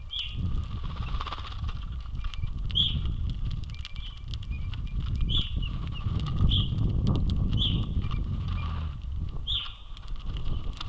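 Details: Male and female Pine grosbeaks eating sunflower seeds at an Ontario feeder on a sunny afternoon, 24 February 2022, give short, high whistled call notes every second or two over a steady low rumble of wind or distant traffic.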